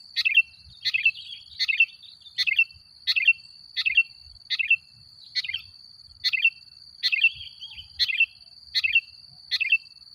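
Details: Sooty-headed bulbul in full song, used as a lure to agitate other bulbuls: short, bright, chirpy phrases repeated about every three-quarters of a second, with a steady thin high whine running beneath throughout.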